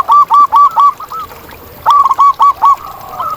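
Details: Wild zebra dove singing in nature, a loud series of quick, staccato cooing notes delivered in two bursts with a pause between, and softer doves cooing in the background.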